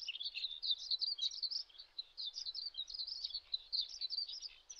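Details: Spoon-billed sandpiper (Calidris pygmaea) giving a continuous stream of high, thin twittering chirps, overlapping and busy, with brief shrill notes packed closely for the whole stretch; no other clear sounds.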